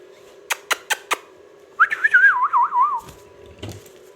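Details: Pet talking ringneck parrot. Four sharp clicks come first, then a clear wavering whistle that rises and then wobbles downward for about a second, followed by a soft rustle.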